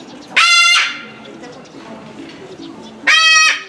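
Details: A Moluccan (salmon-crested) cockatoo calling over and over at Omiya Park Small Zoo in December 2017 gives two loud, harsh, ringing screeches about two and a half seconds apart, each under half a second, over a quiet background hum.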